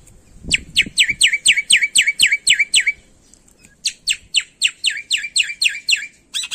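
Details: Black-winged myna in lively full isian song: two long regular series of sliding downward whistles, about four per second, separated by a short pause and ending in a harsh burst.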